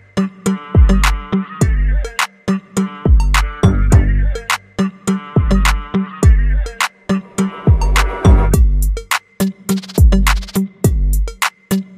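Heavy electronic music with a booming kick drum and synth stabs fills the whole stretch, with no animal voice to be heard.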